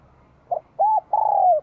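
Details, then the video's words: Short excerpt of a Vietnamese spotted dove's bell-voiced spring 2023 song. A soft lead note, one arched coo, then a long falling coo. "CHIM CU GÁY GIỌNG CHUÔNG KÍCH BỔI CỰC SUNG CHÀO XUÂN NĂM 2023"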